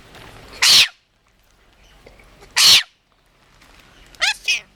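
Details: A pet Red-collared Lorikeet sneezing twice, each a sharp hissing burst about two seconds apart, then a short, harsh, voice-like phrase imitating speech. It reportedly says 'bless you' after sneezing and meows like a cat. Quiet room.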